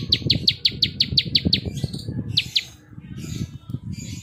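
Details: Klik song of a plain prinia (ciblek sawah): a fast series of about nine sharp, high clicking chirps, then two more, over steady low rumbling background noise.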